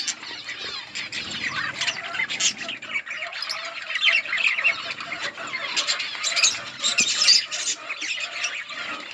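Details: Outdoor colony of budgerigars chirping as they eat, a dense murmur of warbling and buzzy chirps, louder and higher squeaks rising toward the end.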